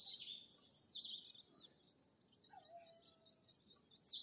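Bimaculated Lark giving a rapid, steady run of high, thin chirps, about three a second, with scratchier bursts at the start and end; a brief lower whistle drifts in midway.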